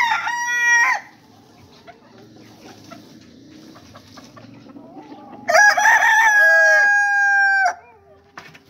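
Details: Rooster crows twice: a short tail of a harsh crow at the start, then a quieter stretch with low background hum and faint clucks, then a long, loud, sustained crow of over two seconds with a steady, held final note.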